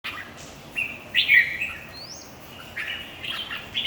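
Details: Red-whiskered bulbul at a singing competition: short warbled phrases with bright chirpy notes, a rising whistle slurring upward partway through, and quieter gaps between phrases over a steady low background hiss.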